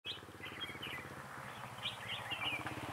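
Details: Red-whiskered bulbul used in trapping at Vườn Táo on 19 December 2016. Bright, warbled phrases of quick rising and falling whistled notes are heard over a steady, low mechanical hum.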